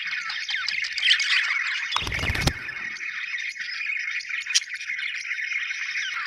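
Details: A group of happy budgies chatters constantly with warbled chirps and squeaks; a brief low thump or rustle interrupts around the two-second mark before the chatter carries on.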